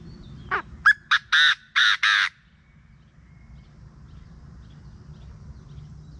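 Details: Morning call of a Chinese francolin, used as a decoy sound for luring: a quick series of six harsh, rasping notes, starting with short rising ones and ending in three longer buzzy blasts, then quiet countryside hum.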